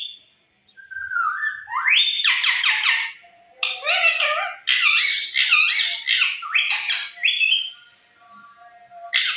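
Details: Talking parrot chattering with rough, voice-like squawks and rising whistles, delivered in long dense phrases with brief gaps between them.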